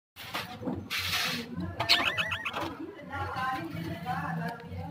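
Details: A green breeding pair of budgerigars with chicks gives chatter of quick, squeaky chirps and harsh rasps in a short, rapid run.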